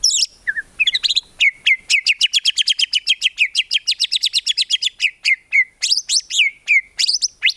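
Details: Training recording of a white-rumped shama in gacor song, packed with tembakan and lacking ngukluk: a long machine-gun run of rapid repeated downslurred notes, roughly five per second, closing with a few loud sweeping whistles.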